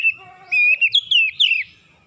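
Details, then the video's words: Oriental magpie-robin (kacer) singing persistently in the morning, a lure recording meant to set reluctant birds singing, showing off its learned repertoire: a steady thin whistle, then rapid, slurred, rising and falling whistled phrases, with faint low rumble beneath. "PANCINGAN PAGI KACER SUSAH BUNYI LANGSUNG GACOR NGOTOT BONGKAR ISIAN"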